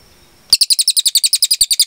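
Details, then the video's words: Cililin singing a long, clear 'tembakan' burst for training cage birds: after a short silence, a rapid run of sharp, high chirps, about eight per second, evenly spaced and strong, with no other sounds. "MASTERAN CILILIN GACOR JERNIH TEMBAKAN PANJANG"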